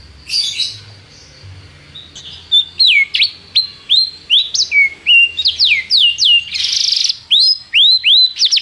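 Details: Canary song meant to teach a young canary: after a soft start, sharp whistled notes sweeping downward repeat about three per second, with a brief burst of buzzy sound near the end, over a faint low hum.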